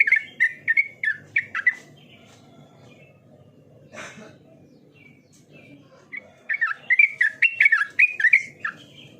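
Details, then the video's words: Lively yellow-vented bulbul song, known locally as trucukan. Two bursts of rich, liquid warbled notes about two seconds long are separated by a pause with a brief rustling noise, and the second burst is denser and louder. "Terapi burung trucukan cepat Gacor"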